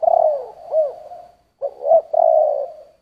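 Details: Spotted dove giving a "giọng thổ" style coo: a long low note, a small rising-falling hoop, then a pause and a clipped double coo into a drawn-out steady note.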